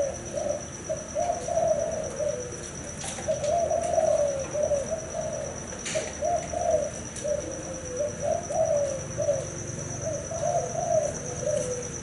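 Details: Thai hau 4 style spotted dove male, having fathered several broods, delivers long sequences of throaty, slightly wavering coos, a high steady tone and sporadic clicks audible throughout.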